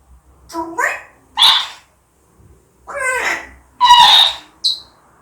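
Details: Upset pet African grey parrot in Korea, angered by a spotted calf, makes short yelping, bark-like calls and sharp squawks with rising and falling tones, five bursts over five seconds indoors.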